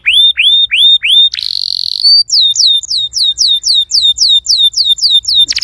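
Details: Canary song played to prompt a silent canary to sing: clean runs of rising whistled upslurs, a dense buzzy rattle, then rapid repeated downslurred whistles, ending in a brief harsh burst.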